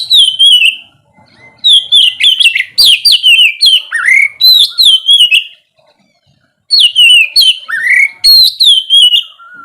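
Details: Oriental magpie-robin (kacer) morning song used to prompt lazy birds to sing: loud, rich whistled phrases swooping between high and mid pitch, delivered in fast bursts with short pauses.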